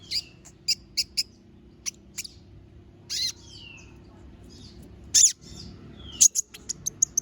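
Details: Little spiderhunter delivering isolated sharp, high-pitched chips and a couple of thin slurred whistles, then a closing flurry of quick piercing notes over a quiet low background hum.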